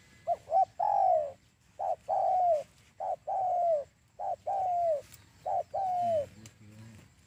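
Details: Spotted dove coo played as a trapping lure: a steady series of phrases, each with two quick short notes and a drawn-out descending coo, repeated roughly every second and a quarter, four times.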